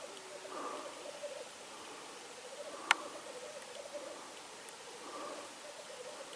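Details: Black grouse in Norway on 8 May 2019: low, dovelike bubbling in pulsed runs, rising and falling in waves over steady hissing background noise, with one sharp click near the middle.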